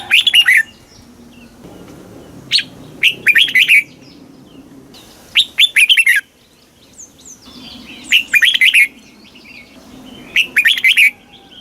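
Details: Red-whiskered bulbul from Thailand in southern master-style song, played to excite caged birds and teach chicks: five repeated phrases of quick, bright, slurred whistles separated by short pauses, with a low background murmur.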